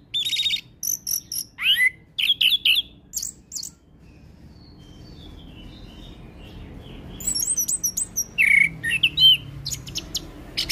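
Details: Orange-headed thrush song used as a training lure for young thrushes: clusters of high chirps and slurred whistles, a quiet middle stretch with soft distant notes, then renewed bright warbling.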